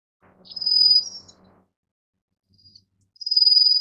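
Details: Two high, steady, rapidly pulsed trills from a Rufous-faced warbler, about two and a half seconds apart, with a faint low rumble beneath the first.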